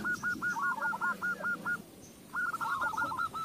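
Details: Zebra dove song used as a lure to get other doves singing: rapid series of short, clipped cooing notes in two bursts, a rolling stutter of even pulses, with a low hum beneath and a faint higher bird call.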